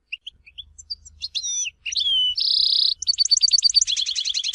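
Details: European goldfinch from Tizi Ouzou in varied song: sparse high chips, swooping whistles, a sustained buzzy nasal note, then rapid repeated trills. A faint low hum sits underneath.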